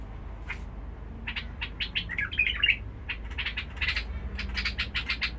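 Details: Basra bulbul singing in a harsh voice, kept as a cage bird: quick dry chirps build into a tangled, bubbling warble near the middle, then more rapid clipped notes follow.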